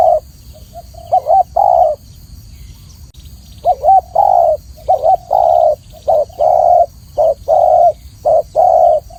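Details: Spotted dove cooing: after a short pause, a long series of low short-long coo pairs repeated rhythmically, some notes slightly wavering, over faint background hum.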